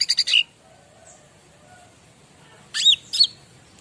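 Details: Bar-winged prinia song for training other birds: three quick buzzy high notes ending in a short whistle, a long quiet gap with faint background hum, then two sharp rising chirped notes.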